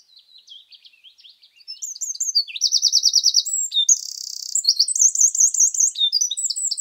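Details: Eurasian wren in mixed woodland, Scotland: soft, distant high twitters at first, then a loud burst of rapid trills, a steady buzzy rattle and more fast warbling phrases.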